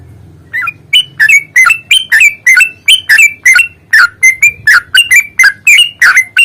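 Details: Yellow-vented bulbul in a fierce, fighting-style long rolling song used as a lure to make other bulbuls sing: loud, bubbly, slurred chirping notes dipping and rising, about three per second, over a low hum.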